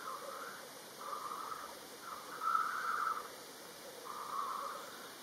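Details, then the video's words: Black grouse lekking in Kurzeme, Latvia, on an open lek. Low bubbling phrases, each under a second, come at about one-second intervals over a steady murmuring chorus of more distant birds. "Black grouse lekking behaviour"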